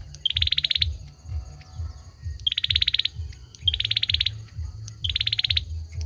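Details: Four rapid, high-pitched ticking trills from a male olive-backed sunbird, each led by a sharp note and set about 1.2 seconds apart, above a steady low hum.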